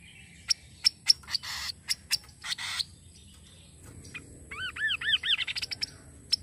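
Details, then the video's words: Kaso kaso bird sound meant to stimulate singing: scattered sharp high ticks and short noisy bursts open, followed by a fast series of arched, rising-falling whistled notes that speed up and rise in pitch. "Suara burung Kaso kaso"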